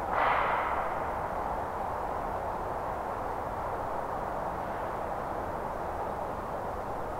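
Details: A short splash-like burst opens, then rushing water roars steadily, with no animal voices.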